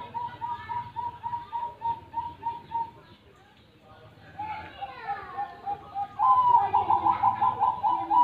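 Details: Zebra dove cooing: a string of soft repeated coo notes at first, then overlapping chatter and other calls, and finally a loud quick rolling burst of pulsed coos continuing to the end.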